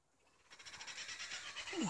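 A laughing kookaburra gives a harsh, rapid cackle that swells in loudness.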